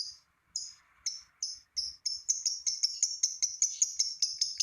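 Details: Lovebird kept to prompt other lovebirds to sing: short harsh chirps, spaced at first, then speeding into a steady rapid run of sharp high notes.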